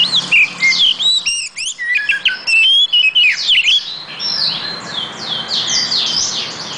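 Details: Oriental magpie-robin (kacer) in full song: dense bursts of high warbled whistles, swoops and chirps, loud and varied throughout, with a slight low hum underneath.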